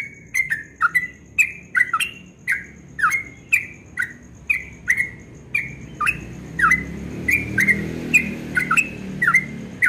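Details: At dawn, a yellow-vented bulbul sings continuously in the ropel style. Crisp chirps alternate between rising and falling slurs, each opening with a click, repeated nearly twice a second against a quiet, low murmur.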